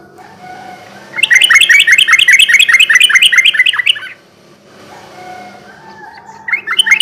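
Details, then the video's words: Yellow-vented bulbul (trucukan) lure song for night: a dense three-second burst of rapid rattling, chirping notes, then near silence, then the start of another burst. "kicau suara burung trucukan gacor garuda ropel ini cocok buat pancingan trucuk bahan di malam hari"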